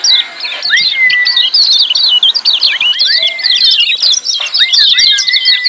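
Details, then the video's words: Lemon-bellied white-eyes giving noisy, busy ciak calls, recorded to coax silent white-eyes into calling. A dense chorus of quick, sharp chirps overlaps throughout, with a few smooth, longer whistled notes that rise and fall beneath. "Kecial Kuning Ciak Joss RIBUT RAME"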